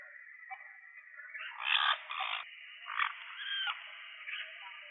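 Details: An endangered Puerto Rican parrot (Amazona vittata), endemic to Puerto Rico, gives harsh, raspy squawks while being fitted with a tracking transmitter: two long squawks, then shorter bursts, over a steady background hiss.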